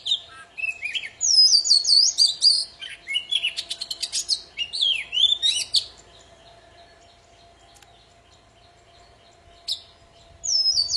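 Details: Poci singing persistently, for encouraging silent birds to sing again: a long rapid medley of high whistles, buzzy rattles and warbles for six seconds, then quiet broken by brief phrases.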